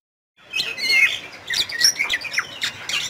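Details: Bali myna, also called Curik, endemic to western Bali forests in Indonesia, singing busily: harsh squawky notes mixed with short whistles and chirps in a continuous rapid jumble, with faint background hiss.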